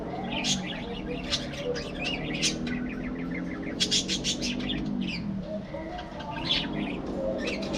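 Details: Budgerigars in a breeding colony aviary: scattered sharp chirps and short warbling bursts from several birds over a steady low hum, with faint lower murmuring underneath.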